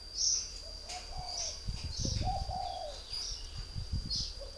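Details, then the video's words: Northern Vietnamese spotted dove, a three-year-old decoy kept in a cage, utters low mellow coos in two phrases. Dull thumps and sharp high chirps are heard alongside. "chim cu gáy hay miền bắc"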